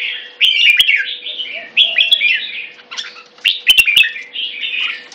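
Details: Red-whiskered bulbul in Singapore sings short, bright warbling phrases that rise and fall, separated by brief pauses, with sharp clicks and a faint steady low hum in the background.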